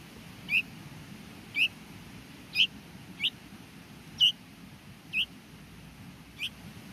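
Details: Hungry baby bulbul chick in the nest during feeding, breeding season June and July: short high squeaky begging notes, sharply rising then falling, given singly about once a second, seven in all over steady faint background hiss.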